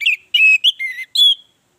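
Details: Orange-headed thrush, song used to draw other birds into singing: a short sequence of four or five clear, slurred whistles, some falling, ending in a bright sustained note.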